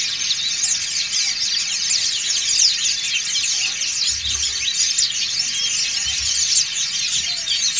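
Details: Many white-eyes, dakun and montanus types, singing ngriwik together: a dense, continuous mass of high, thin chirps and quick twittering trills overlapping without pause, steady in loudness throughout.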